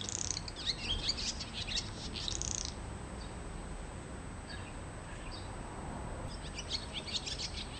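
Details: A swallow visiting a home garden gives quick, high twittering chirps in bursts, busiest at the start and again near the end, over a low background rumble.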